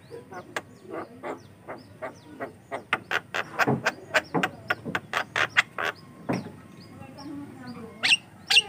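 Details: Javan myna singing actively, a sound meant to lure and train other mynas: a fast run of dry clicks and rasping notes, several per second, with a couple of high sharp squeaks at the end.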